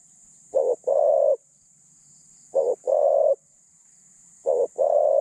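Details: Decoy spotted dove in captivity, voice described as medium with thin phrasing, repeats a two-part coo three times: a clipped double note leading into a longer, even, mellow note, about two seconds between phrases, light background hiss.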